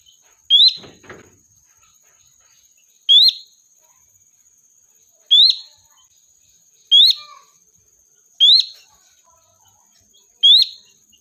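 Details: Sooty-headed bulbul calls as a lure to bring in the flock. Short, piercing rising chirps repeat roughly every two seconds, with a steady high whine throughout and a brief rustling burst near the start.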